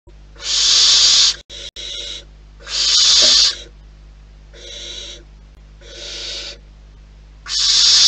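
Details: Wild barn owls at their nest, with a chaotic scene unfolding: five harsh, breathy hisses come roughly every one and a half to two seconds, some louder and some softer, over a steady low hum.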